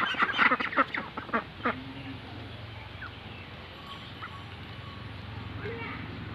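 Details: White Pekin ducks at a duck farm give a rapid burst of loud, rasping quacks in the first two seconds. The quacks then fade, leaving a steady low engine-like hum and a few faint distant calls.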